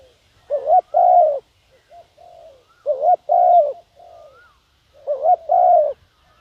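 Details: Spotted dove cooing as a lure for wild doves. Three phrases come at roughly two-second intervals, each a clipped double note and then a long, low, hollow coo, with faint quieter coos in between.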